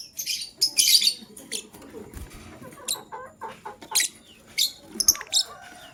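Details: Lovebird, a male choosing a partner, morning chirping: rapid, shrill, raspy chirps open the clip, followed by scattered high squeaks and short chattering bursts through to the end.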